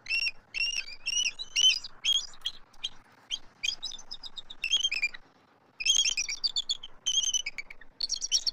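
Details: Adult eagles vocalizing from their Southwest Florida nest tree on March 12, 2024, while an immature eagle circles overhead: rapid, shrill, squeaky chattering notes in uneven bursts, with a brief pause midway before the calling resumes.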